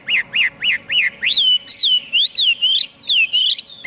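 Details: Chinese hwamei singing loud, clear whistled notes: four quick rising-and-falling slurs repeated evenly, then longer swooping whistles that climb and drop, each phrase crisp and ringing.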